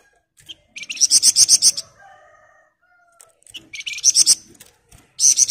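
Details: Continuously singing Sunda bush warbler, ngebren style: repeated bursts of about eight rapid, high, pulsed notes, each phrase lasting about a second, separated by brief pauses with faint lower whistles.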